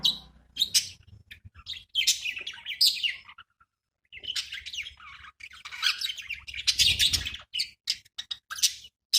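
Budgerigars chatter in rapid, scratchy warbles and sharp chirps, with a short pause midway.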